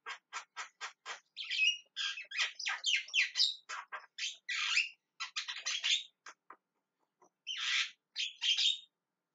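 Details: Javan myna giving a long run of rapid clicks that turn into harsh, grating squawks and chattering notes, ending with two loud rasping calls after a short pause.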